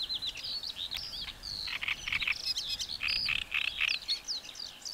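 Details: A great reed warbler delivers a loud, scratchy song of chattering and croaking syllables, some rasping notes repeated two or three times, mixed with higher squeaky slurs. The song is continuous and rapid.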